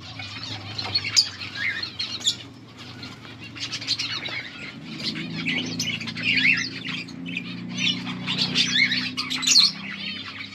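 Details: Budgerigar pair in breeding progress, recorded August 16, 2024, with mating sounds; continuous scratchy warbling and chirps, rising in loudness toward the end, with a steady low hum underneath.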